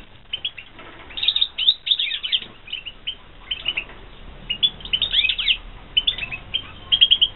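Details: European goldfinches bred in captivity in 2016 produce lively, tumbling phrases of fast, liquid twitters and chirps, grouped in bursts about a second long, with short pauses between.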